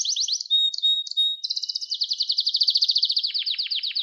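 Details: Canary singing, meant as a training recording for young birds: a few short high notes, then a rapid, even trill of repeated syllables that shifts into quick downward sweeps toward the end.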